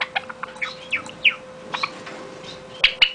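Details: Java sparrow song: quick clicking notes mixed with bell-like upslurred and downslurred chirps, delivered in an uneven stream, with a constant faint hum underneath.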